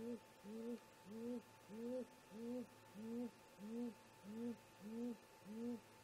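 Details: Low, arched hoots from a great grey owl pair at the nest in the early hours, around 04:25 MDT in July, coming steadily about every 0.6 seconds, ten hoots in a smooth even chain over a quiet background.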